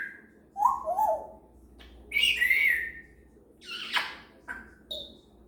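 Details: Female grey parrot practicing sounds in the morning: a mix of warbled whistles, a loud harsh falling squawk, clicks and brief high whistles in an irregular sequence.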